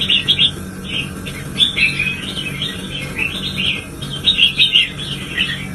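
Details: Red-whiskered bulbul stirred up to sing hard, delivering an almost unbroken run of rapid, liquid chirps and warbled notes that rise and fall, with a faint low hum underneath.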